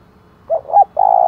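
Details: Decoy spotted dove giving a single 'thúc' phrase, played to provoke rival wild doves: two short rounded hoots followed by a strong, level, drawn-out coo.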